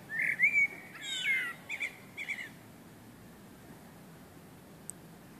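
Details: Common blackbird song on a summer evening, a loud, clear, fluty warbled phrase of several notes with a thin high twitter mixed in, fading into about three seconds of quiet with a soft click near the end.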